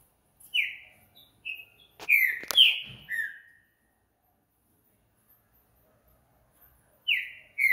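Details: Nocturnal song of a green-winged saltator, a phrase of clear down-slurred whistles given twice, the first run interrupted by sharp clicking knocks, with silence between the phrases.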